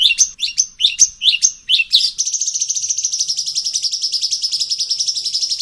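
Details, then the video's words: Sooty-headed bulbul (cucak cungkok) song in a 'variasi ngeplong' style used for masteran training: about two seconds of sharp, high, swooping chirps, then a fast, even, high-pitched rattling trill that runs to the end. "Masteran Cucak Cungkok Variasi Ngeplong Suara Unik"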